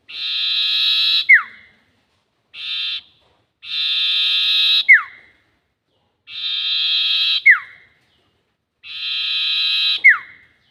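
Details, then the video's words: Sirtu bird lure call for trapping, in a long 'nyiul' style: a buzzy, harmonic-rich drawn-out note ending in a sharp falling whistle, repeated about every two to three seconds, with one shorter buzzy note among them. "SIRTU NYIUL PANJANG ..... ‼️ Cocok Untuk Pikat || Suara Pancingan Sirtu"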